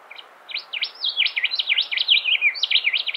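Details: Rufous whistler in Monarto Woodlands, South Australia, 20 October 2021, sings a rapid, lively run of high, varied, ringing notes that swoop up and down, with little else heard.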